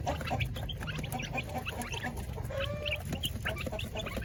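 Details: Flock of village chickens in coops during feeding: busy overlapping clucks and short squawks, several birds calling at once, with a brief held note midway, over low rumbling background noise.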